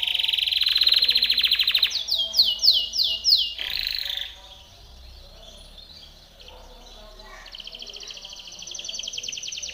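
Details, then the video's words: Training song of a Timbrado canary: a loud buzzing high trill, then a few strong swooping notes, a quiet pause, and a softer rapid rattling trill building again toward the end. "TIMBRADO canary singing - Timbrado canary's most powerful song for training / canary training song"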